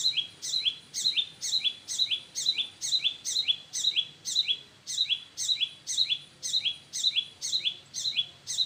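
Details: Parent birds in front of their nest: a steady series of about seventeen sharp, high chirps, each dropping in pitch, repeated roughly twice a second throughout.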